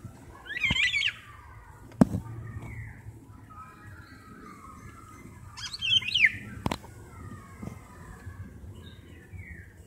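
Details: Golden oriole pair at a window, the male calling his mate and the female answering alike from another side: two harsh, nasal, squawking calls about five seconds apart, with sharp clicks and a low background hum.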